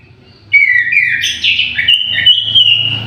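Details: Orange-headed thrush kept in an aviary, singing a loud, melodious run of varied warbled and whistled phrases that slide up and down over about two and a half seconds, with a low steady hum underneath.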